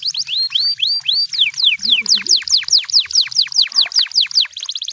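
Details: Canary in the wild singing a steady chain of rising then falling whistled notes, about three per second, ending in a fast, fine trill; a faint low sound is briefly heard in the background.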